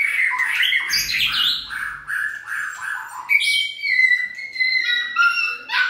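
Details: White-rumped shama in stamina training for its fiery, feather-fluffed singing style: loud varied phrases of rich whistles mixed with harsh chattering notes, rising and falling, then a long sustained clear whistle and a few sharp closing notes.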